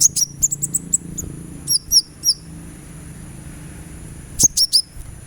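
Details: Sunbird singing in a therapy recording intended to encourage another bird to sing: bursts of rapid, very high tinkling chips and short slurred notes, a lull with faint low hum, then three more sharp notes.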